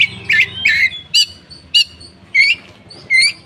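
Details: Lure song of a koci for coaxing other birds to sing: six crisp, high chirped notes spaced about half a second apart over a faint low rumble.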